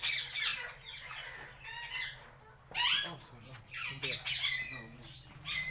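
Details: Captive pet Alexandrine parakeets, newly acquired: harsh, grating squawks in irregular bursts with rough, noisy harmonics, calling through a small room.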